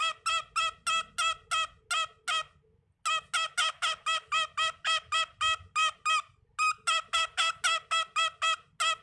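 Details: A pet cockatiel at bedtime, apparently trying to talk its way out of going to bed, gives a fast run of bright, slightly harsh chirps, about three or four each second.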